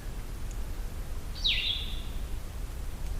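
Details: Wild Blue-headed Vireo singing along a wilderness trail: a single short, sweet, slurred phrase that drops sharply and then levels off, over a steady low hum.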